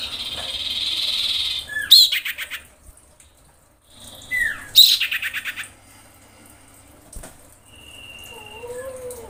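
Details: Female common iora in breeding condition calling to the male, giving loud harsh rasping bursts around two and five seconds, with softer whistled notes between and a thin rising whistle near the end.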